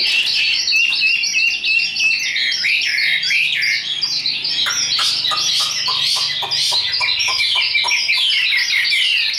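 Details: Caged Chinese hwamei, a tame bird sold as a strong high singer for contests: dense warbled whistling that turns into a quick series of sharp repeated clipped notes, about three per second.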